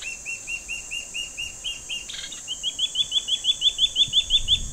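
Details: Two juvenile Gabar goshawks perched in a tree, begging while waiting for their parents to bring food: a steady series of short, high, piping notes, about three per second, quickening and growing louder toward the end.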